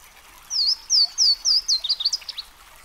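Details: A Louisiana waterthrush, a bird of brooks and streams, sings loud clear notes that drop in pitch, four or five in steady rhythm, then breaks into a fast, descending jumble of twitters.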